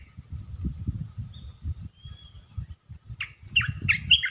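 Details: Red-eyed bulbul, a resident territory holder calling, delivering a burst of short, bright, chattering notes toward the end after a quiet stretch, over a constant low rumbling hum.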